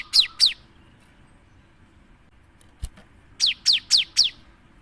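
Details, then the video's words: Cinereous tit in lively song, used as a lure to prompt other birds to sing: a pair of sharp, high whistled notes sliding downward, a pause with a click, then four more quick descending whistles in a row. "PANCINGAN SUARA GELATIK BATU GACOR"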